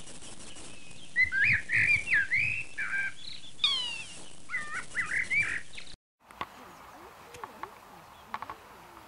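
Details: A flock of about ten or more young European goldfinches feeding on flower seeds in a wildflower meadow in summer gives bright, liquid twittering chirps in quick bursts for about six seconds, then a quieter stretch of faint calls over soft hiss.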